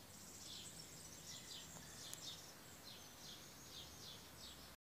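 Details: A bird singing early in the morning: thin, high notes, each slurring downward, repeat in quick succession at about three per second over a soft low rumble.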